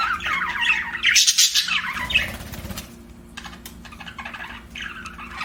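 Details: Budgie chirping: a loud burst of grating chatter and squeaks early on, then fainter clicks and scattered chirps over a low room rumble.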